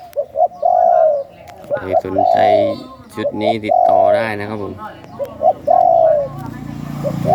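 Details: Captive spotted doves bred for song, offered as chicks, give soft, husky coos in short rolling phrases, repeated every second or two, while a man talks over them.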